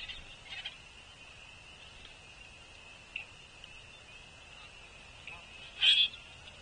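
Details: Common grackles at a Cornell Lab feeder on 28 March 2024, spring migrants, with males doing bill-up threat and song-spread displays; one loud, scratchy, squeaky burst near the end, a fainter one early, over a steady high ringing tone. Common Grackle.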